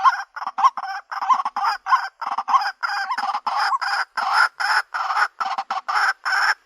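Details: A female white-breasted waterhen's mate-seeking call: loud, raspy, nasal notes repeated quickly and steadily, each a short harsh burst, filling the whole stretch.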